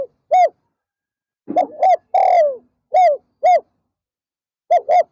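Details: Spotted dove serving as a decoy for wild doves in the afternoon, 'pa roi' song style: paired short arched coos, a long rolling downslurred coo, then more paired short coos, repeated across several phrases.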